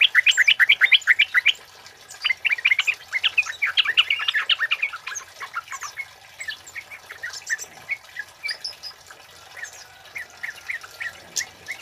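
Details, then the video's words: Male kemade singing for use as a lure and tutor recording; a rapid, dense burst of chattering, squeaky notes at the start, then looser sequences of sharp chirps and whistles that fade in strength. "Suara Burung Kemade Cit Keres Gacor Jantan Buat Pikat Dan Masteran"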